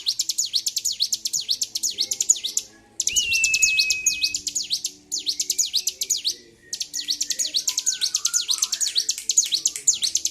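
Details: Bar-winged prinia, highly provoked and singing continuously on 26 February 2023. Four bursts of rapid, shrill, zigzag notes are split by brief pauses, one carrying a steady flat whistle.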